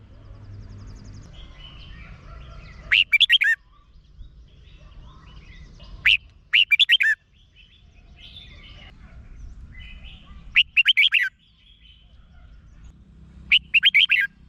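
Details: Caged Red-whiskered bulbul from Thailand singing, used to excite other caged birds: four short bubbly phrases of about five rapid whistled notes, spaced roughly three to four seconds apart over a low, quiet background hum.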